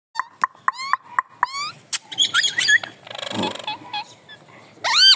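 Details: Green parrot calling: sharp clicks and rising whistled notes, then a harsh rasping screech and loud upslurred squawks near the end.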